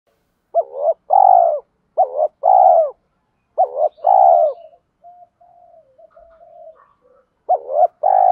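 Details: Spotted doves, male and female, calling as a lure for training caged doves: repeated low hooting coo phrases, each a short note then a longer rolling coo, in groups with faint softer coos between.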